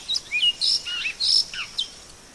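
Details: Great-billed seed finch heard in nature: a short, lively series of high chips and slurred whistles, some bending downward, with a faint steady hiss behind.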